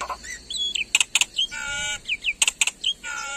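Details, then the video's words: Black-winged myna (jalak putih), Indonesian endemic, singing in the gacor full isian style full of mimicked phrases: bright whistles, sharp high chips and a sustained buzzy harmonic note, in short irregular bursts. "Suara Burung Jalak Putih Gacor Full Isian"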